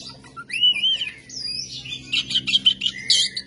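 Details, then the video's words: Oriental magpie-robin in rough, rasping song: a clear slurred whistle rising and falling, then a drawn-out buzzy note and a fast run of scratchy chattering notes, over a faint low hum. "KACER MATERI KASAR KASAR NGEBYAK GACOR"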